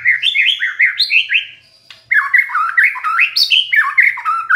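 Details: Lure recording of a white-rumped shama meant to prompt a stressed bird to sing: loud, fluent whistled phrases, each note sliding down, in two bursts split by a short pause, with a few squeaky high notes mixed in.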